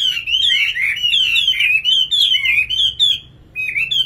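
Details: Nightingale song, a continuous high, scratchy warble of rising and falling slurred notes strung together quickly, with one brief pause near the end and no other clear sounds.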